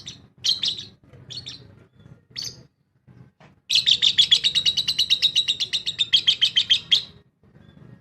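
A lovebird gives a few sharp chirps, then a fast run of shrill, high, squeaky notes, about four a second, lasting three seconds, over faint low background noise.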